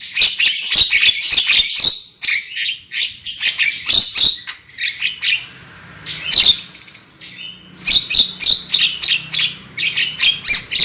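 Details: Lure recording of a black-winged myna singing loudly: rapid, harsh, chattering squawks delivered several per second, with a few whistled notes and a brief lull in the middle.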